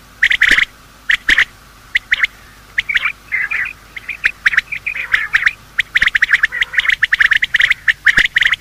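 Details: Male and female quail calling in the morning, a sound hunters use as a lure: scattered sharp high notes growing into a busy, continuous chatter of rapid overlapping calls.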